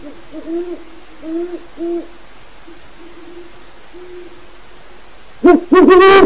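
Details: Great horned owls, an aviary pair, hoot at night to mark territory toward wild owls nearby; a short run of soft, deep hoots, then two much louder, harsher hoots close by.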